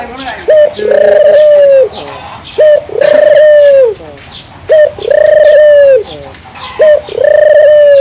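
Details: Barbary dove cooing gacor-style to make local doves sing along: four regular two-part coos, short note then long level tone, spaced about two seconds apart.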